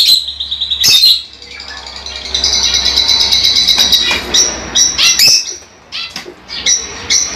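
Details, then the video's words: High, continuous twittering from lovebirds, with a drawn-out shrill passage in the middle and sharp chirps toward the end. "LoveBirds Sounds For 30 minutes"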